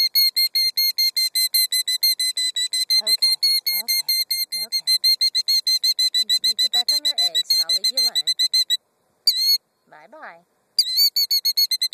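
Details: A female killdeer guarding her gravel nest of two eggs fusses at an approaching car and man, giving a shrill, insistent stream of high piping notes about five a second with brief pauses, and feigns injury; a man's voice talks over it.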